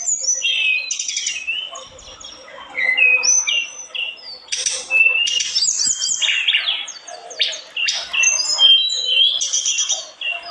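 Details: Sunda robin in sustained full song, a lively mix of high whistles, fast trilled rattles and swooping slurs over about ten seconds.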